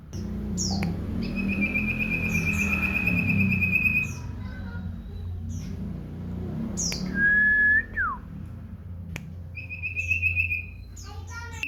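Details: Common iora kept as a house bird, singing actively: phrases of steeply slurred high whistles and a ringing rapid trill, later a clear level whistle dropping into a downslur, then another short trill among sharp chips, over low room hum.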